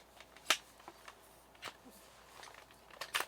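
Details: Scattered sharp clicks, crackles and rustling handling noises in a quiet space, with no animal voice.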